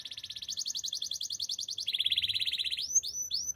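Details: Canary training song: a very fast, even trill that drops to a slightly lower pitch, then several widely spaced rising whistled sweeps.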